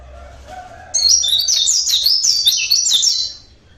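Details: Local Javan Oriental white-eye heard naturally, delivering a sustained high twittering phrase of quick, jumbled, slurred notes for over two seconds before fading out.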